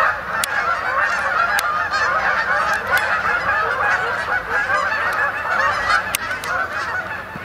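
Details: A flock of Canada geese descends on the main pond of Sapsucker Woods, New York, to roost on 28 October 2017, honking continuously in a dense nasal chorus, with several sharp clicks and a slight fade at the end.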